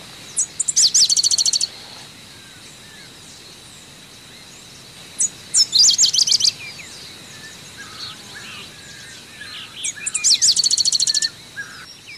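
Pale-headed Brushfinch: three high, fast, sharp trilled phrases about a second long, repeated roughly every four to five seconds, with faint birds and a steady insect hum.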